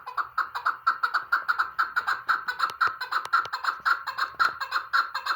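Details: Chukar partridge giving a steady run of harsh clucking chuk notes, about two per second, rhythmic and even, with no other clear sounds.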